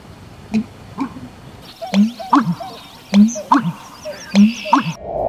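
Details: American Bittern male's mating-season call in wetland vegetation: deep, gulping, pumping booms in three-part groups, about one every second, with faint high bird chirps in the background.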